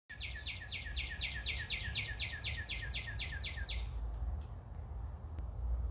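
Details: A red northern cardinal in a backyard tree sings a fast run of about fourteen clear, sweeping whistled notes, roughly three per second, over a low rumble of distant traffic. Another bird joins nearby.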